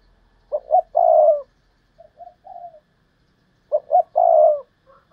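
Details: Decoy spotted dove calling in the thúc lợi cốt style: two short clipped notes then a long, throaty, slightly wavering coo, a softer fragment in between, the full phrase repeated about three seconds later.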